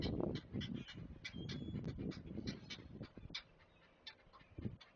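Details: At a Chesapeake great blue heron nest on 20 May 2024, a parent feeds the chicks, which beg with low, harsh, clattering calls, about two a second and uneven, over a rough nest-side rumble with a few faint higher chips.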